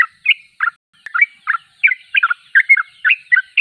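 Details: Quick, chattering Sooty-headed bulbul song of paired and single bubbly notes repeated several times a second over a quiet background.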